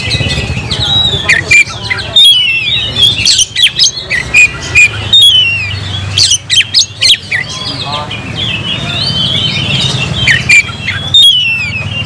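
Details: Oriental magpie-robin kept as a songbird, pouring out loud, bright whistles and scratchy chirps in clustered bursts, with some quieter rambling passages and faint low rumble in the background.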